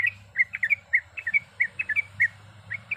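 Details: Sooty-headed bulbul, a female calling the male, singing a long rolling song with varied sounds. Short whistled, slurred notes come in quick irregular groups of two or three over a steady low hum.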